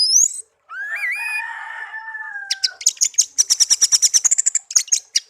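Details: Captive songbird raised from a chick, now tame after a year, opens with a sliding whistled note held low, then breaks into a rapid series of sharp high chirps repeated about three per second.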